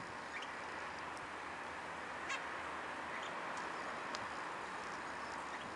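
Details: A pair of zebra finches: a few short, nasal, trumpet-like beeps, spaced irregularly over a steady background hiss.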